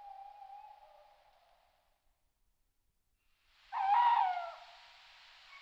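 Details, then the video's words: Tawny owl at night near homes: a faint level hoot fades into silence, then a sudden harsh, breathy call with a sharp start and a falling tail, followed by a soft lingering hiss. "Il verso dell'allocco. Tawny owl"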